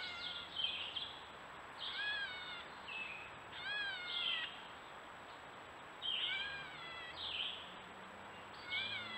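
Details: Gray catbirds recorded by trail camera on a woodland stone wall in Strafford County, New Hampshire; faint, nasal, mewing slurred calls with layered overtones recur every second or two over a steady hiss and a thin high tone.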